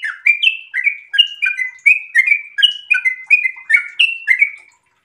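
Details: Sooty-headed bulbul in breeding condition giving a rapid 'ropel' song of mellow, bubbling whistles that pause briefly between phrases and fade out near the end.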